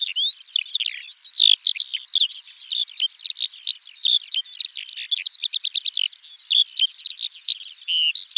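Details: Eurasian skylark (Alauda arvensis) pouring out a long, unbroken, high-pitched song of tumbling chirps, trills and whistled flourishes, dense and varied throughout.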